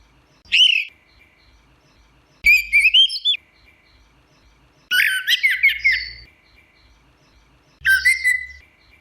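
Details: Orange-headed thrush singing in the teler style: four bursts of rich whistled phrases, each sweeping and warbling between mid and high pitch, separated by pauses of about two seconds, with short rising notes opening and closing the series.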